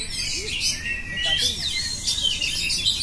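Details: Brief stretch of oriental magpie-robin song: a long thin whistled note sliding upward among dense high chirps and trills.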